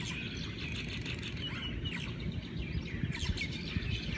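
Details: Many Hawaiian birds calling at daybreak, with distinct rising and falling whistled phrases standing out from rapid twittering, plus soft low thumps and rumble beneath.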